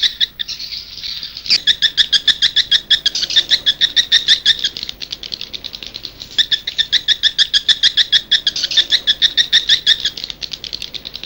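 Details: Swiftlet lure played outside a nest house in Indonesia to attract edible-nest swiftlets: continuous loud chattering twitter of rapid high pulses in long waves, with a steady background hiss.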